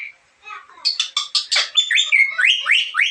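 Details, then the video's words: Strange sounds from a black-capped lory: harsh buzzy notes running into a series of upward-sweeping whistled chirps, rapid and uneven. "suara aneh Nuri kepala Hitam"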